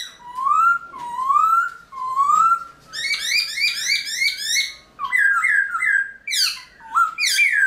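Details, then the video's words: Early-morning singing of a caged Black-throated Laughingthrush, known for many changing voices: three slurred, rising-falling whistles, then a fast run of bright chattering notes and abrupt swooping whistles that shift in pitch. "Luyện Khướu Bạc Má Hót Sáng Sớm Kích Chim Khướu Căng Lửa Hót Giọng Rừng"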